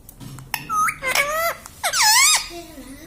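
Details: Pet parrot saying "mummy" in a small room: a quick string of rising, slurred vocal syllables ending in a long, loud, arched note, then a soft low tail.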